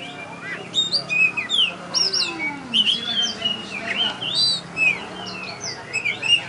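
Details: Oriental magpie-robin (kacer), a contest champion, singing during a bird song competition in Tebas. High whistles, slurred upward and downward notes and quick chirps come in short bursts over a steady crowd hubbub.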